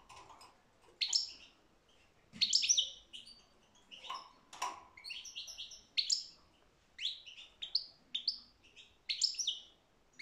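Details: European goldfinch singing a steady stream of quick, high, twittering and tinkling notes, with a faint low hum and soft background noise.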